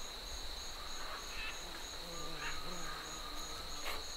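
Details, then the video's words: Distant Green-winged Macaws giving flight calls in Tambopata: a few harsh, brief squawks spaced about a second apart, set against a steady, pulsing cicada stridulation that dominates the background. "Green-Winged Macaw. Distant Flight Calls."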